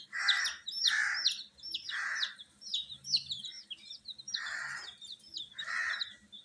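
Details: Colourful chicks kept warm with heating make bright, descending peeps in a busy overlapping stream, joined by several loud, breathy rasping bursts in quick pairs.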